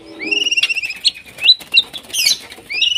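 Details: White-rumped shama in breeding condition calling a rival: a long clear whistle held level, some short sharp notes and a noisy burst, then the long whistle again.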